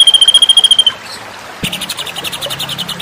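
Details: Murai batu, the white-rumped shama, in a masteran training recording for contest birds: a fast steady trill cuts off, a short quiet gap, then a run of quick repeated chipping notes.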